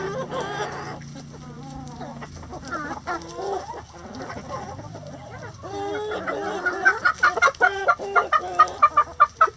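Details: Chickens in their coop clucking, with drawn-out harmonic calls early on that become rapid, sharp clucks repeated several times a second toward the end; a low hum fades after the first seconds.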